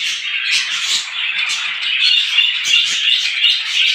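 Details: Morning bird chatter from many small birds, loud continuous chirping with quick, sharp accented notes recurring roughly three times a second.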